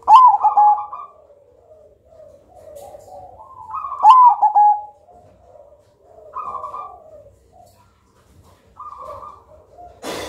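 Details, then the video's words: A black Majapahit perkutut, or zebra dove, with a loud, thick, melodic voice, used as a lure bird. It gives two strong cooing phrases about four seconds apart, each a sharp lead note then bubbling coos. Quieter partial phrases follow. "Perkutut Hitam Majapahit Suara Tebal Lantang Aduhai Irama Syahdu Cocok Buat Pancingan"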